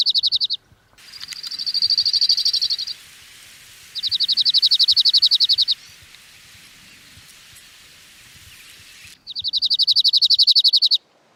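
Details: Cirl bunting song, rapid and repetitive, given from an open perch in spring and summer to attract a female or defend territory: high, dry rattling trills of fast repeated notes in three long bursts separated by pauses.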